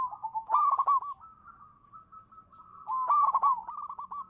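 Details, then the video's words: Local zebra dove (perkutut) used as a lure bird: two bursts of cooing, each a rapid rolling, gurgled series of notes near the same pitch, separated by a quieter, steady sustained tone lasting about two seconds. "suara burung perkutut lokal manggung juara pancingan"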